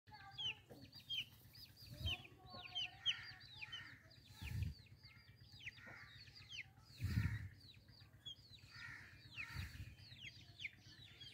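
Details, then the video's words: A white partridge gives quick, squeaky, chattering notes in rapid bursts throughout, over a steady low hum and a few dull thumps. "White Partridge | Dakni Teetar"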